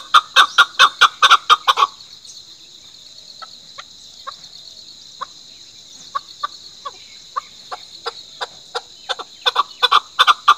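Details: Chukar calling. It opens with a loud burst of rapid chucking, then goes quiet and resumes with spaced, soft chuck notes that speed up and swell into another loud rattling series. A steady high hiss runs throughout.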